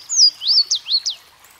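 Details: Louisiana waterthrush from brooks and streams: a short song fragment of a high down-slurred whistle, then several quick swooping notes that rise and fall, all above a soft background hiss.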